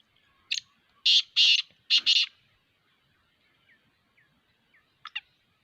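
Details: Harsh, scratchy phrase of a Black francolin: a short lead note followed by four broad, buzzy rasps in two pairs, then quiet with a faint double note at the end.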